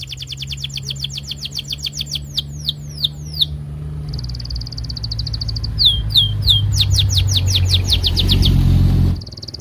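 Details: Canary 'gacor' lure song to set other canaries singing: rapid trilled sweeps, a few slower downward slurs, a steady buzzy trill, then more fast sweeping notes, over a loud low hum and rumbling background noise.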